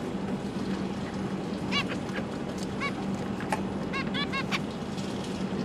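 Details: Zebra finches kept with three juveniles and three newly hatched chicks as parents feed their young, December 2022; nasal, trumpet-like honking notes, single and in quick pairs, over a steady low hum.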